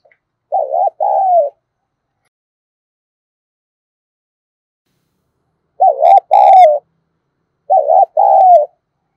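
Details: Spotted dove kept as a lure to draw wild birds, giọng thổ voice: three low coo phrases, each a quick doubled note followed by a drawn-out wavering coo, separated by long silent gaps.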